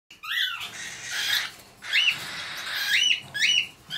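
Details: Hand-raised baby cockatiels, perching and playing, give harsh, raspy squawks mixed with short upward-bending chirps.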